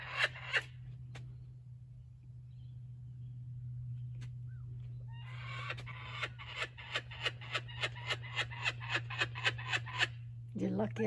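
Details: Captive laughing kookaburra playing with a joey's stolen stuffed toy at a wildlife sanctuary. After scattered single notes comes a long, even run of about twenty rapid cackles, with a constant low electrical hum throughout.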